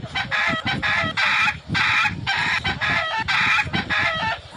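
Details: Roosters fighting and crowing give loud, hoarse, broken crows and squawks in quick overlapping half-second bursts, nearly two per second, with harsh clucking between, in a village setting.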